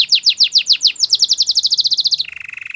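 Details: Spanish Timbrado canary pouring out quick downslurred notes that speed up into a steady rapid trill, ending in a lower, softer rolling rattle.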